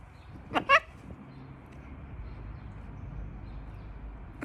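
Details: A pet blue-and-gold macaw says a raspy, two-syllable talking "hallo", the second syllable louder and higher, followed by quiet room noise.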